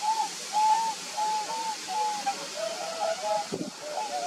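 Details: Wild whooper swans recorded on 6 December 2019 at Graina, calling in a series of soft trumpeting honks, some overlapping at slightly different pitches, against steady water noise with a brief knock near the end.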